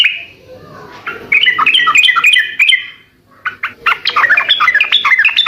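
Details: Lively gacor song of a Sooty-headed bulbul, played so other birds reply: a drawn-out opening note, then a quick chattering phrase, a short gap, and an excited run of jumbled chirps.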